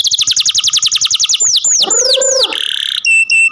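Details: Captive canary delivering a fast series of repeated whistled notes, about four per second, followed by slurred downward sweeps, a buzzy rolling trill and short high tones.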